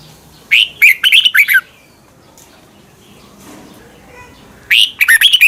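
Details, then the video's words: Song of a red-whiskered bulbul in Thailand, used as morning playback for learning birds: two short, rapid phrases of liquid, warbling whistles, each about a second long, separated by a quiet pause. "นกกรงหัวจุก | Thailand bird, 30 นาทีทุกเช้า เพื่อให้นกเรียนรู้ที่จะพูดได้อย่างรวดเร็วและหนักแน่น"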